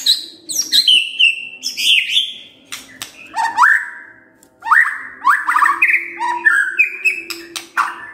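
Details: Morning song of a white-rumped shama, played to prompt a silent bird to answer: varied whistled phrases rising and falling, mixed with sharp clicks and high chattering notes, with a steady low hum behind.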